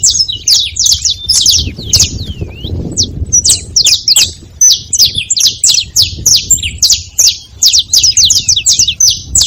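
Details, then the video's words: Saffron finch noisy at a feeding spot, producing a nearly continuous stream of sharp, high, clipped chirps with slurred and looping notes mixed in, overlapping in busy clusters; low background rumble throughout. "Canário da terra fazendo barulho na seva"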